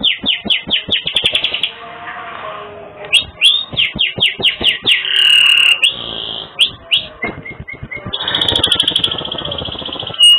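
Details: A canary sings a bright, rolling song of fast repeated chips and high trills, broken by long sustained whistles and buzzy rattles, with no other sounds, used as a tutor song for training birds.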